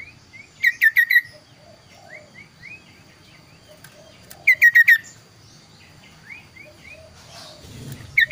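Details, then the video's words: Kaso-kaso bird singing a very clear, varied song, used as a training master for other birds: clipped bursts of four to five falling whistles, with softer upslurred notes between and a brief rustle near the end. "burung kaso kaso tampil dua suara variasi"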